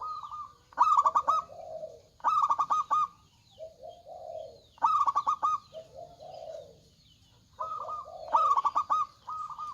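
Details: Energetic local zebra dove with a big voice: four stuttering bursts of quick pulsed coos spaced about two seconds apart, linked by softer lower coos, in a rhythmic repeating song.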